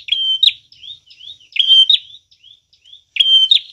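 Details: Prinia song used to lure birds: a sustained high whistle ending in a sharp chip, then soft slurred rising notes, the whistle-chip phrase returning three times.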